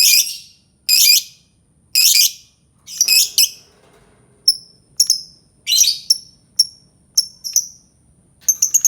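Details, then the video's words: Albino lovebird alternating loud rasping screeches with thinner, sharp, high chirps that fall in pitch, about one call a second, ending in a quick flurry of notes. "Suara Burung Lovebird Albino"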